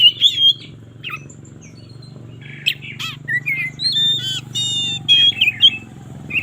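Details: Oriental magpie-robin in the morning, a lure for birds reluctant to sing: sparse whistles and slurred notes, a buzzy rattle, then sustained clear tones over a steady low hum.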